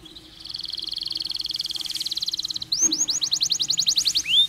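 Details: Canary giving a long, fluent song with pauses, used to stimulate stressed canaries. A high buzzy trill runs for over two seconds, then a fast series of rising, looping whistled notes repeated several times a second.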